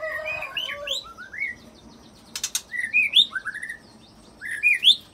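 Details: Shama song laced with cililin imitation and extended canary-style rolls, aimed at drawing other shamas into singing; tumbling whistled slurs, a short buzzy burst, then clear rising and falling whistles in separate phrases.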